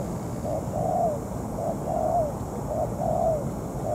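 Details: Ground decoy spotted dove in moult, used for trapping a wild male: clear rhythmic coos, a brief note then a drawn-out falling one, repeated about once a second over quiet background noise.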